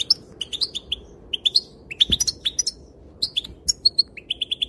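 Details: Female goldfinch calls said to draw males into dancing; lively bursts of clipped twittering notes, a few higher whistled upslurs, delivered in uneven rapid series with soft low background noise.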